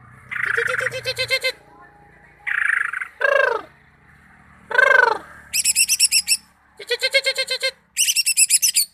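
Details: Greater green leafbird delivering a varied song of loud chattering bursts of rapidly repeated notes mixed with harsh downward-sweeping rasps, with short pauses between phrases and a low background hum.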